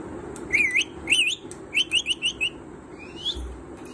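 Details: Pet parrot, said to speak different words and be eager to learn more: two wavy, warbling whistles, then five short whistled notes repeated quickly, then a faint rising whistle, over a steady faint high hum.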